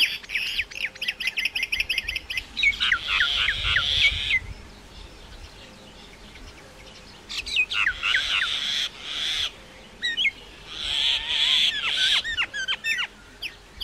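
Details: Common myna singing repeated bouts of fast clicking chirps and sharp falling notes, each run broken by harsh grating bursts with short quiet gaps between.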